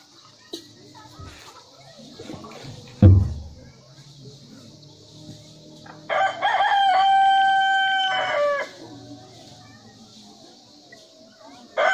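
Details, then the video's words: Rooster sound: after quiet background with a few knocks and low rumble, one crow of about two and a half seconds rings out, harsh and sustained with a dropping tail. "Murga ki awaz-rooster crowing"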